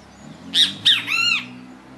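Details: Great kiskadee singing in nature: one three-part phrase of two sharp, shrill opening notes followed by a longer, buzzy, harsher third note, over a faint low hum.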